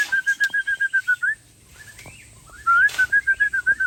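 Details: White-rumped shama of the Aceh type singing near a tennis court and showing its repertoire of mimicked songs: a fast string of clear, evenly spaced whistled notes, a short pause, then the same rapid whistling resumes.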